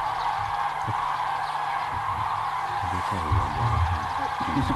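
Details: A large flock of Common cranes (Grus grus) flying into their autumn roost at Hortobágy, Hungary, keeps up a steady, blended chorus of rolling, trumpeting calls, with a man talking nearby.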